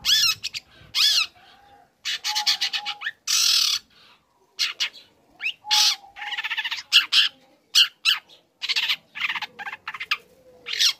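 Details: Young long-tailed shrike singing eagerly while learning material meant to rouse other shrikes: loud harsh rasping blocks alternate with chattering chirps in irregular phrases, with faint whistling tones behind.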